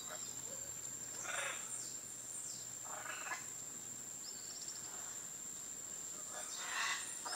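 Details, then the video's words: Harsh, grating Scarlet Macaw squawks in Costa Rica, four or five rough bursts spaced about a second apart, over a steady high insect drone. "Scarlet Macaw"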